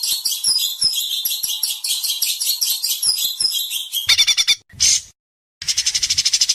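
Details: White-rumped shama singing in an Indonesian competition, sharp besetan and mimicry: a long stream of varied high whistles and warbles, then quick rattling bursts separated by brief pauses.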